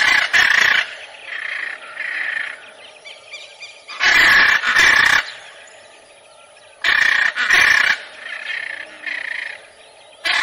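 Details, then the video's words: Raucous macaw squawking: loud grating double screeches alternating with softer, rougher calls in an uneven rhythm. "CANTO DA ARARA"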